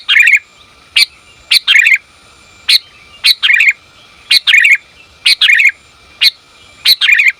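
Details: Female sooty-headed bulbul calling the male, mixing single sharp chips with click-and-warble phrases of bubbling downslurred twitter, repeated irregularly every half second to a second.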